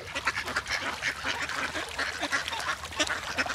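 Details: Many ducks swimming together on the water, with great white pelicans present, calling in unison: a steady, busy stream of nasal quacks, several a second, overlapping throughout without pause.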